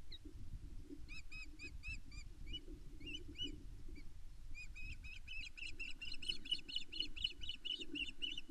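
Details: On a Loch Arkaig osprey nest in May 2024, a female begs her mate for fish with strings of sharp, whistled piping notes, sporadic at first, then a fast continuous run; wind rumbles underneath.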